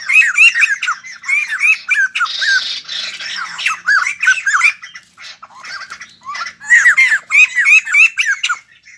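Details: Newly caught white-crested laughingthrush kept caged for its song, giving loud, rapid, bubbling laughter: dense runs of harsh, upslurred and downslurred notes in bursts of about a second, with a brief rasping patch midway.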